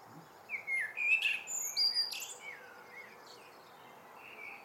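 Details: Common blackbird singing in the evening, a good-night song: low fluted, warbling phrases sliding around the middle register, broken by bright high twittering notes, then quieter trailing whistles over a faint steady background hum.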